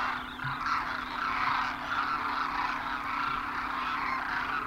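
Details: Hundreds of migrating Demoiselle cranes land at a water hole in Khichan, Rajasthan, India, in winter, all calling at once: a dense wash of overlapping croaking, trumpeting notes with no break, over a low steady hum.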